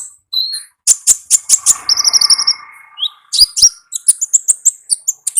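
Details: Wild olive-backed sunbird singing hard in gacor ngalas style: fast rows of high sharp ticks, a short buzzy trill, then dense chattering notes repeated rapidly over faint background hiss.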